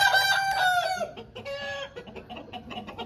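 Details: An Aseel rooster of a home breed crows: a loud harmonic crow lasting about a second, a brief gap, then a shorter second crow, followed by low clucking.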